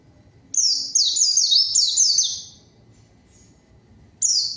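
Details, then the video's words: A white-eye answering a rival sings a dense run of high, rapidly repeated descending chirps for about two seconds, then a fresh burst begins after a pause. "PANCINGAN PLECI GACOR MANGGIL LAWAN PLECI BAHAN LANGSUNG RESPON DAN IKUT BUNYI"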